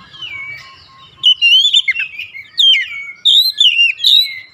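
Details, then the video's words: Lure song of an oriental magpie-robin, meant to provoke rival magpie-robins: after a quiet start, loud wavering whistles and descending slurred notes in three phrases, rich and varied. "PANCINGAN AMPUH KACER APAPUN DIJAMIN LANGSUNG NGOTOT KONSLET"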